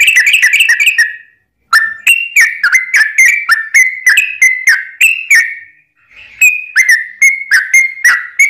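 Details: Long-rolling lure song of a sooty-headed bulbul, meant to provoke other birds into answering: fast chattering whistles with crisp attacks, a brief pause after the first second and another near six seconds, then the steady stream resumes.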